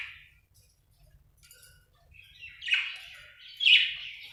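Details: Budgerigar giving two short, rasping chirp bursts near the end, louder than the first, after a quiet opening with one soft early chirp and low background murmur.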